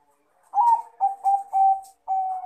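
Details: Male zebra dove of the Bangkok crossbred type calling a rival, giving four or five close, mellow coo notes in a quick stuttering run.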